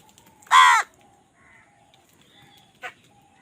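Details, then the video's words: Crow fighting for food. One loud, grating caw is followed by a much shorter, fainter caw, with faint whistling birds in the background. "কাকের ডাক Crow Sound Crow ki Awaz Loudly"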